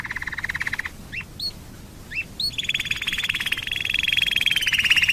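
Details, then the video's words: Canary song used as a lure for other canaries: a rolling trill, several short upswept chirps, then a long rich trill gradually growing louder. "Pancingan burung kenari super ampuh"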